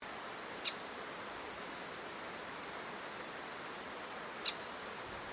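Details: A female crested kingfisher arriving before sunrise gives two brief, sharp, high calls about four seconds apart, over a steady rushing hiss like flowing water and a faint, thin, continuous high whine.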